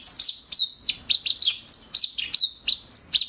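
Eurasian tree sparrows give a rapid run of sharp, descending chirps, about three per second, high-pitched and slightly metallic, with no other sounds.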